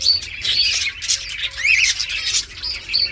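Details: Talkative green ringneck parrot, a pet bird, chattering in dense high squawks and chirps with short rising and falling whistled notes, busy and continuous throughout.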